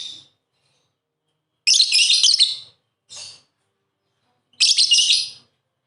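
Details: Lovebirds kept as pets, playing together, give long harsh screeching chirp phrases with a shorter burst between them, separated by brief silences.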